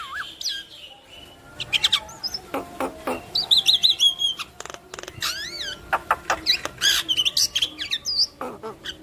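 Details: Yellow-eyed Javan myna singing vigorously while bobbing its head, a song meant to set other Javan mynas singing: a busy mix of sharp clicks, harsh bursts and short rising and falling whistles, packed densely together.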